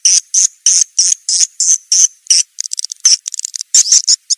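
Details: Swiftlet call lure meant to attract swiftlets: harsh, buzzy, high chirps repeated about three times a second, steady at first, then quicker and more broken.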